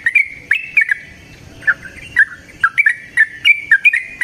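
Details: Yellow-vented bulbul (trucukan, merbah cerukcuk) calling in the wild in Indonesia. It gives a loose series of bright, clipped whistled notes that speed up into quick paired chirps toward the end. Quiet natural background.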